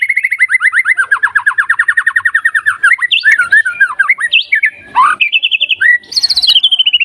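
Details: White-rumped shama song meant to trigger quick responses from stressed, non-singing birds: opens with a long, fast trill of repeated downslurred notes, then breaks into varied whistled phrases, sudden high bursts and falling slurs.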